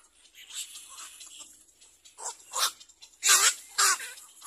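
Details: Little black cormorant ready to feed its young: soft scratchy notes build to several loud, harsh, broadband squawks near the end, each short and abrupt, spaced about half a second apart.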